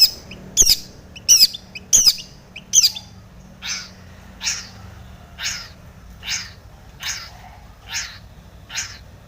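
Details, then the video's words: Long-tailed shrike singing tomiceng-style mimicry, played to provoke rival shrikes: four loud harsh crackling notes about every second, then softer breathy calls roughly once a second. "SUARA cendet gacor full isian TOMICENG pancingan cendet agar bunyi"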